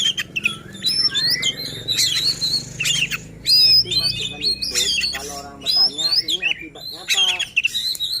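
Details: White-rumped shama song used to provoke rival shamas and train silent ones; loud sweeping whistles and harsh chatter overlay a lower, rasping harmonic warble, with steady faint low hum beneath.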